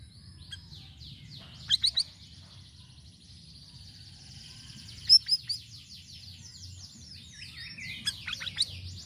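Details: Varied Sirisiri song, recorded for luring birds. A fast, high chattering run of repeated notes, broken by clusters of sharp ticks in three bursts, over a low background rumble.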